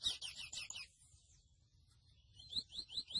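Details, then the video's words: Grey seedeater, locally called mochuelo, singing: a fast burst of high chirped notes, then a pause, then rising slurred whistles resuming near the end. "MOCHUELO AVE Y SU CANTO HERMOSO (SPOROPHILA INTERMEDIA)"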